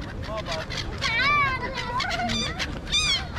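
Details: Birds of a noisy flock circling a mall in Kuwait call loudly: wavering, harmonic squawks and slurred whistles that overlap, over steady background noise and voices of gathered people.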